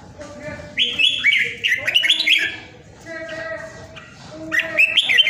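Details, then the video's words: Home-kept red-whiskered bulbul in Vietnam during Covid: two bursts of bubbling, fluty whistles, the first about a second and a half long, the second near the end, with softer sounds and a quiet gap between them. "PHI CƠ MẶT ĐẤT CHÀO MÀO VIỆT"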